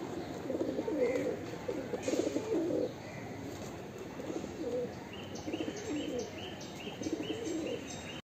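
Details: A breeding pair of fancy pigeons in Mumbai give low, rolling coos in uneven, overlapping bursts, while faint high chirps of small birds sound in the background.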